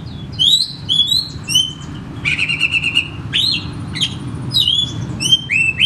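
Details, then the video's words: Song of an oriental magpie-robin (kacer), meant to prompt a caged bird at home that will not sing: bright rising whistles, a buzzy rattling trill in the middle, then more slurred, falling whistled notes over a faint low hum. "Sekali Putar Kacer Macet Bunyik Langsung Bukor Bongkar materi"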